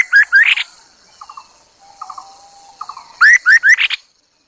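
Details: Decoy Chinese hwamei: loud rising whistled notes with a buzzy finish, a pause of quiet chattering and one thin level whistle, then another loud phrase of three rising whistles and a rough ending note.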